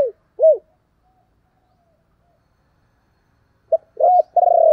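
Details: Decoy spotted dove calling to attract wild doves: two separate short hollow coos, a long silence, then a quick pair of coos running into a sustained, slightly pulsing low croo.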